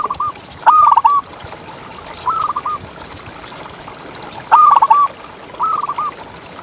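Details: Champion-type local zebra dove used as a tutor for contest birds: alternating louder and softer short bursts of clipped cooing notes, four phrases spread unevenly, over steady background hiss.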